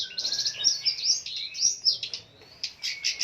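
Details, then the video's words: Long-tailed shrike, a fighter bird in full song packed with fill notes: dense high chattering phrases and scratchy trills, a thin lower whistle drawn beneath, pausing briefly before resuming. "Burung pendet figther gacor dor full isian"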